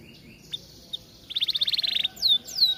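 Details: Atlantic canary singing: quiet opening, then a rapid rattling trill of about a dozen quick notes, followed by two loud high downward-swooping whistles.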